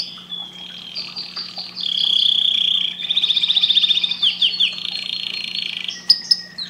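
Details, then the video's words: Singing canary, song used to stimulate breeding: high sustained whistles, then a fast rolling trill of many rapid notes, followed by several sharp downward slurs and a few clicks, over a low steady hum. "تغريد طائر #الكناري للتهييج"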